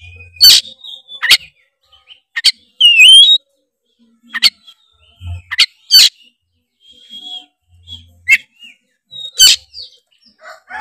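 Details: Tretes oriental magpie-robin in full loud song meant to provoke opponents: scattered sharp clicks and chirps, one bright rising whistled phrase with warbling overtones, and a few thin sustained whistles spread over the stretch.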